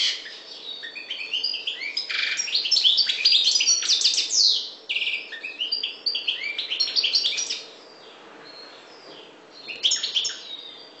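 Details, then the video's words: Maghreb goldfinch, subspecies parva, delivering a rapid, liquid stream of chirps, trills and one drawn-out buzzy note, then falling quiet before a short final burst of twittering. "Chardonneret parva maghreb"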